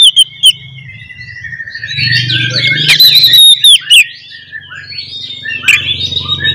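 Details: Oriental magpie-robin fighting song meant to provoke other magpie-robins: long sustained whistled notes drifting over rambling warbles, a few loud clipped bursts in the middle, steady low hum behind.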